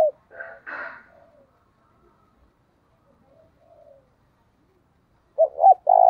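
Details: Spotted dove decoy cooing to provoke rivals: faint scattered chirpy sounds early on, then after a long quiet gap a short burst of hooked notes and a sustained coo at the end.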